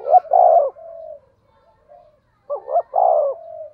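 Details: Spotted dove cooing in the 'thunder' voice style, played to stimulate other doves. Two loud phrases, each a pair of short rising hoots and a long low falling coo, with a faint coo between.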